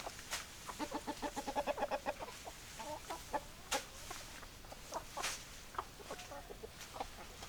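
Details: Domestic chickens, hens and roosters, clucking in a farmyard: a run of rhythmic, evenly spaced clucks early on, then scattered sharper clucks and clicks over a noisy background.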